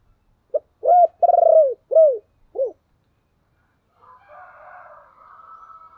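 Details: Spotted dove calling to lure other doves: a short note, rising coo, long trembling coo and two falling coos in quick sequence, followed by a fainter, rougher crowing-like sound from another bird.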